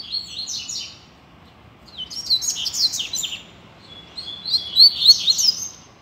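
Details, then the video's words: Free-flying Double-collared seedeater singing on a street as a model song for learning birds: softer, rambling phrases of high slurred chirps and thin whistles, ending with sharper bright notes, over a steady low rumble of background noise. "COLEIRO SOLTO NEM SABE PRA ONDE VAI!!! Dando Show na Rua!!! - Coleiro Professor Aprendizado"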